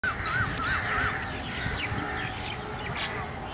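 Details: A large migrating flock of rosy starlings murmurating above Hamirsar lake, Bhuj, Kachchh, on 18 March 2018, recorded from beneath: a dense, unbroken chatter of harsh, squeaky notes, with a few wavering whistles near the start.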